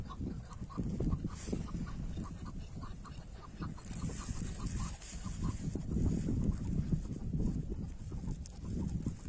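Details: Tethered chukar partridge kept as a decoy during a hunt, giving a run of short, evenly spaced clucking notes for about six seconds, partly buried under heavy low rumbling wind and handling noise.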